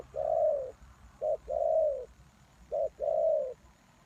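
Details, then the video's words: Spotted dove calling as a lure for wild doves. Deep, smooth coos, each a short note followed by a long drawn one lasting over half a second, repeat in slow pairs. "The Cu Gáy Mồi Đất,Kèo thơm lụm Mồi sảy,นกเขาใหญ่สายต่อดิน,Sound Of Cuckoo Bird่,Suara Tekukur Pikat"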